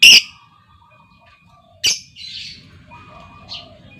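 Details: Calling female lovebird, a lure sound for other lovebirds: one loud shrill screech, a pause, then another sharp screech followed by buzzy chattering and a higher chirp, with quiet twittering underneath.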